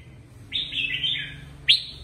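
A Red-whiskered bulbul gives a rich, warbling phrase of about a second, then a brief bright note, both mid-high in pitch over a faint low hum.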